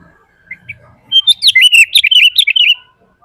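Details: Sooty-headed bulbul singing to lure and train other bulbuls: two soft chirps after a quiet start, then a sudden one-and-a-half-second burst of fast, bright, buzzy twittering notes before silence.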